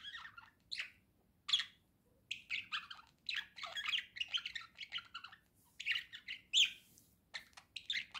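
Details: Domestic budgerigar warbling: a long run of sharp chirps, squeaks and chattering notes in uneven clusters, with brief pauses throughout.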